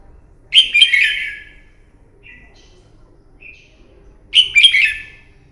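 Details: Morning fighting song of a red-whiskered bulbul, played to train a bird: a loud, rich warbled phrase, two faint short whistles, then another loud warbled burst near the end.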